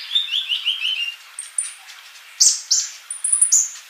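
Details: Kolibri (sunbird) singing vigorously: a short falling series of lower warbled notes, then very high thin whistles and sharp chirps.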